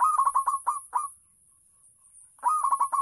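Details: Local zebra dove kept to lure other doves, singing rapid bursts of short, bubbling coos in quick succession, pausing about a second, then resuming; constant high hiss in the background.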